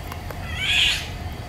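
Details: Eurasian golden oriole in woodland in May 2021, recorded with a Nikon Coolpix P1000: a single harsh, nasal, cat-like squawk lasting under half a second, over low background noise.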